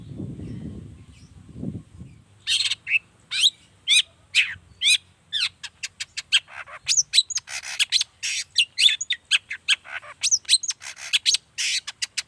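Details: Long-tailed shrike, called cendet, in rapid varied song used to make other shrikes answer: after two seconds of low rumble, a fast run of sharp chirps, slurred whistles and harsh notes with short pauses.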